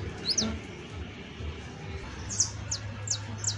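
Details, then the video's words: Exemplary saffron finch song: a few bright, high, quickly falling chirps, one early and a cluster of four near the end, over a faint low hum. "CANTO DE CANARIO CRIOLLO EJEMPLAR [SICALIS FLAVEOLA]"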